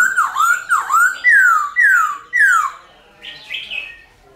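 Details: Silver-eared laughingthrush song for training young captive birds; five loud, clear whistled notes, the first two dipping then rising, the rest sharply falling, roughly two per second, followed by softer scratchy notes.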